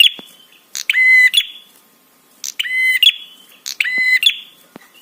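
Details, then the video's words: Prinia giving 'trapi' calls to rouse other birds into responding: three drawn-out, nasal buzzing notes with a grating, ringing quality, roughly every 1.3 seconds, each led by a brief high chirp. "SUARA TRAPI PRENJAK SEKETIKA BIKIN EMOSI DAN BIRAHI"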